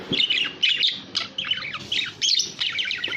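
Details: Budgerigar warbling in short, rapid clusters of high chirps and scratchy twitters, the clusters following one another about every half second.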